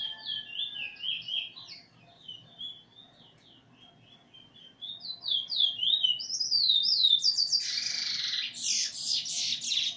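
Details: Eurasian bullfinch, 13/08/2020, singing along with a teacher recording while nearly finished learning its song: quick warbling whistled phrases slide up and down, climbing in pitch, then a burst of loud, harsh chirps near the end.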